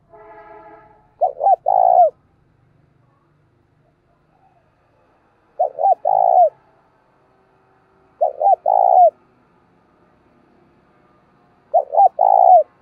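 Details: Spotted dove used as a decoy, cooing in the 'giọng thổ' style to call and lure wild doves for trapping. Four low, soft coo phrases of about three rounded notes each, spaced three to four seconds apart over quiet background.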